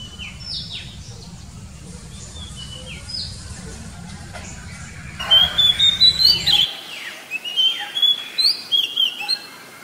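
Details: Oriental magpie-robin in the wild: soft, distant downslurred whistles over low rumble, then loud, rapid series of short pulsed whistles and sweeping notes in lively bursts.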